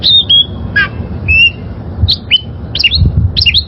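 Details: Oriental magpie-robin, wild-caught, singing for the training of caged birds: scattered whistled slurs and harsh trilled notes separated by gaps, with low background rumble.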